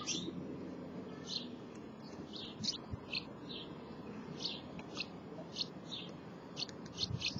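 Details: House martins near the nest giving soft, clipped twitters at irregular intervals over a low background rumble.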